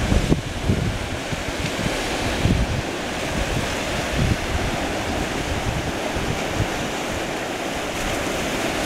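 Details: Breaking waves and steady wind buffeting the microphone fill the whole stretch, with a deep rumbling surf and no animal voice anywhere.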